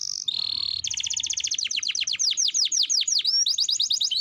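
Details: Young canary singing: a steady high whistle, then a long rapid trill of repeated notes that slide into sweeping downward slurs, loud and clear with little background.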